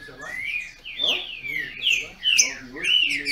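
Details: Caged Brazilian thrush (trinca-ferro) kept by a registered breeder in Brazil, singing in a dispute: loud whistled phrases sliding up and down, several notes each second with short pauses.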